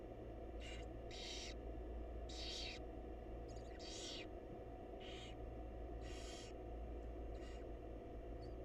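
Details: Barn owl chicks and their mother in a wild nest box at feeding time: about eight uneven, breathy hisses of varying length, some doubled, irregularly spaced over a low electrical hum.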